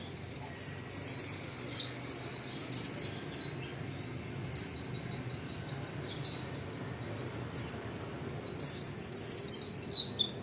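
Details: Lively white-eye song in repeated bursts of fast, high-pitched twittering notes. One long phrase is followed by two short chirps, then another quick run, with steady low background noise.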